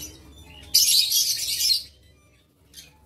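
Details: Lovebird in an aviary, 7 April 2023, letting out one loud, harsh screech lasting about a second, then a brief faint chirp after a pause.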